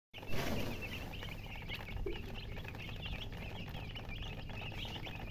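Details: Just-hatched chicken chicks peeping loudly: a dense, continuous chorus of short high chirps, many overlapping, each briefly rising or falling, over a steady low hum.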